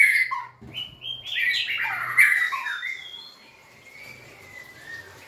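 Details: White-rumped shama, recorded in 2024 while dancing and wagging its tail, sings rich warbled phrases. Whistles step up and down in a tumbling burst, then fade into soft, thin, drawn-out whistles.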